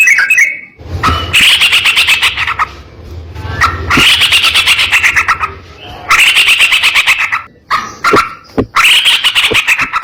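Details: Sooty-headed bulbul delivering harsh rapid phrases meant to train other bulbuls: long buzzy, grating bursts of about one and a half seconds each, four in a row, over a low steady hum.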